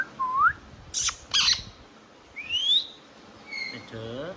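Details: Indian ringneck parrot: a short upswept whistle, two harsh broadband squawks, a high rising whistle, then a soft voice-like harmonic murmur.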